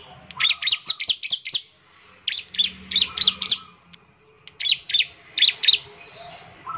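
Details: Bar-winged prinia singing to coax others into song: three rapid bursts of bright, high, stuttering chirps, each burst of five or six notes separated by short pauses.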